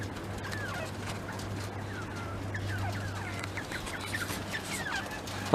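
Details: Mountain quail kept in an outdoor pen run, several birds eating treats, give soft, quick chirps and short slurred notes, scattered and overlapping, over a steady low mechanical hum.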